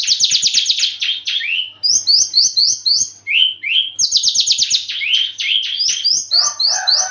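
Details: Aggressive Javan bush lark in mating condition pours out rapid buzzy trills, falling slurred whistles and clipped rising notes in varied phrases, high and continuous.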